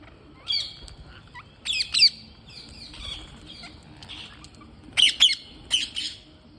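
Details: Green parrots during feeding give loud, harsh, grating squawks in short clusters near the start, around two seconds and again at five to six seconds. Softer raspy calls fill the gaps over a low background rumble.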